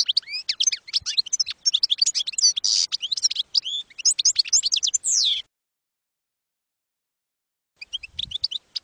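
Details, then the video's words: Goldfinch song, campero style, for teaching young European goldfinches: busy high twittering with liquid trills and a buzzy note, ending in a falling slur, then silence and a brief return of chirps. "NUEVO CD CAMPERO PARA EDUCAR JILGUEROS 2022/2023"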